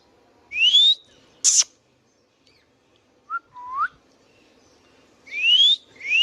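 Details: Indian ringneck parakeet kept as a pet, giving loud rising whistled calls that sweep upward, broken by short harsh screeches, with soft warbling notes in between and long pauses.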